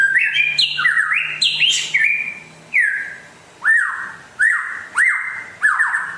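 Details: White-rumped shama from West Aceh, described as rare and in full song: loud rising and falling whistled phrases around the middle range, then a series of sharp upslurred notes, each repeated about every second, against a quiet background.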